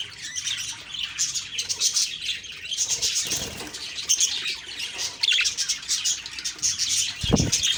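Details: Budgerigars chirping on a morning of October 2, 2023: dense, overlapping high twittering and warbling chatter, steady throughout, with a brief low thump near the end.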